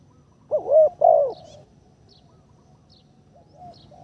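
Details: Captive spotted dove being trained as a ground decoy, delivering two rounded, low coos in quick succession, followed by a long pause with only faint distant chirps and a soft coo at the end.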